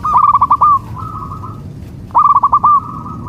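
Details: Zebra dove of the local type, its soft, melodious song used to draw replies from other local doves. Two phrases, each a quick run of staccato notes ending in a drawn-out, steady tone, separated by a short pause.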